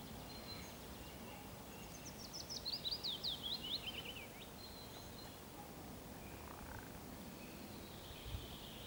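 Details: A willow warbler's spring song: one soft, sweet phrase of high notes falling steadily in pitch, about two seconds long, over a steady low rumble and faint distant birdsong.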